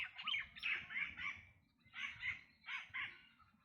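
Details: Black drongo giving harsh, rasping, broadband calls in quick bursts of two or three notes, with brief pauses between bursts, over low background noise.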